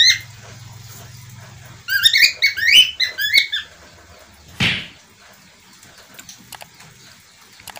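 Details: Budgerigar, locally parkit australia or falk, uttering a quick run of raspy, warbling notes for about two seconds after a low steady hum, followed by a single loud broadband thump and quieter scattered sounds.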